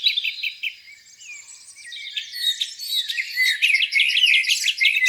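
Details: Birds singing on a spring morning by a lake: high trills, rapid repeated chirps and sweeping whistles overlap from several birds, with a pulsed series building toward the end.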